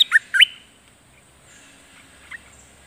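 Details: Decoy streak-eared bulbul in a cage, luring a wild bird. It gives two or three sharp, slurred chirps in quick succession, then falls silent apart from one faint note later on.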